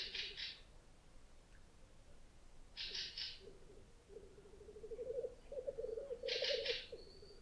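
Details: Fieldfare on an island in Lake Puula, Finland, after sunset on 22 May 2020, giving harsh, rattling double chack calls three times, a few seconds apart, over the low continuous bubbling of a displaying male black grouse.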